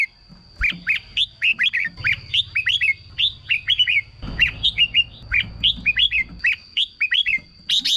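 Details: Red-whiskered bulbul singing, a recording meant to stir caged birds into song; a continuous run of short, bright whistled notes, each sliding upward then dipping, repeated at a quick even pace with a faint steady hum.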